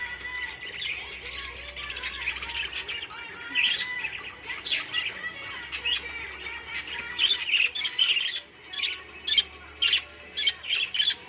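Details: A pet budgerigar bathing in mint chatters in quick, scratchy warbles and bright chirps, ending in a run of short bursts.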